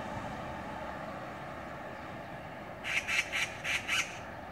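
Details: An Oriental magpie on a street, one of six mobbing another bird, gives five harsh, rasping chatter notes in quick succession near the end, over a steady background hiss of wind or distant traffic.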